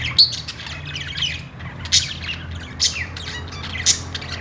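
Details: Cheerful budgerigars give loud squawky chirps about once a second, with softer twittering between them and a low hum behind.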